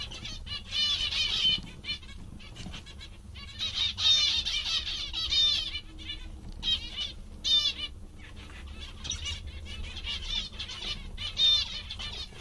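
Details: Cheerful zebra finches give clear, loud bursts of nasal trumpeting beeps and quick trills, separated by short quieter gaps, over a faint low hum.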